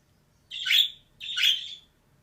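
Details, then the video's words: Two drawn-out, grating squawks from a pet female budgerigar, each lasting about half a second with a brief pause between, in a quiet room. "DİŞİ MUHABBET KUŞU SESİ"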